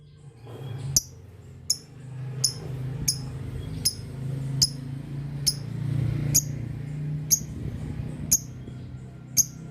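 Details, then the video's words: Lovebird giving its long 'ngetik panjang' chatter, meant to make other lovebirds answer: short, sharp, high chirps repeated roughly every 0.7 seconds, a dozen in all, over a steady low hum. "Suara burung Lovebird Ngetik Panjang Bikin Lovebird Dimana Saja Auto Nyaut"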